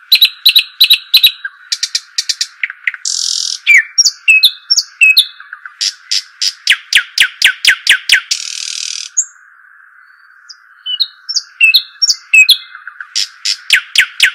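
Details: Arabian babbler vocalising in varied bursts: rapid sharp chirps, rattling trills, rasping hissy notes and thin upslurred whistles, separated by short pauses, with a steady high tone throughout.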